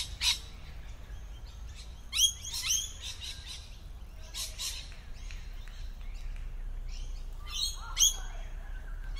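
Lorikeets give shrill, harsh screeches in short bursts every second or two, some overlapping, over a steady low rumble of background noise.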